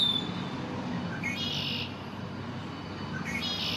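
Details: First-spring male Red-winged Blackbird singing his territorial claim in a city backyard, May 1, 2024: two songs, each with brief rising introductory notes and a loud rasping buzzy trill, about two seconds apart, with constant low background hum.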